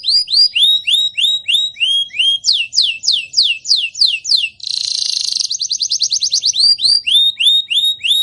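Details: Young canary whose voice is breaking, singing a song used to prompt other canaries to sing. Rising whistled notes repeat evenly, switch to downward sweeps, then a rapid buzzy trill, then the rising notes return.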